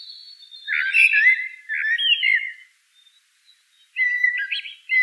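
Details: Common blackbird song: a thin high note leads into a full, rolling fluted warble, then after a pause a quieter phrase of higher, thinner twittering whistles.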